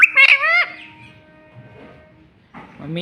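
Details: Pet rose-ringed parakeet giving a short, loud, buzzy, harmonic burst of mimicked speech, followed by a quiet stretch. A low, voice-like sound comes at the end.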